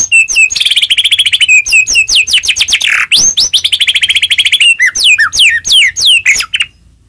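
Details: Energetic white-rumped shama song used as a lure to make other shamas sing: long rapid rattling trills of repeated notes, a low-swooping phrase, then loud descending whistled slurs.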